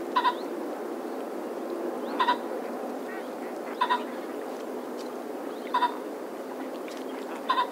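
A common pheasant gives harsh, grating double notes, five times at roughly two-second intervals, over a steady low background rush.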